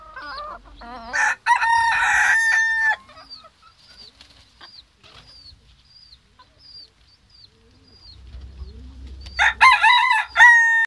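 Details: Ottoman Black Sultan chickens, a Turkish breed kept by a breeder: wavering harsh calls and a loud squawking burst come first, then a long stretch of faint thin chirps with soft rumbling, and a final run of loud harsh calls.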